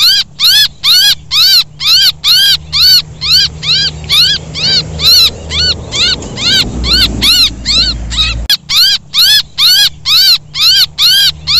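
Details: Chicks crying for help, used as a bait sound for small birds such as bulbuls and for coucals: strident, arching, harmonic calls repeated roughly twice per second, briefly over a low background rumble before a pause.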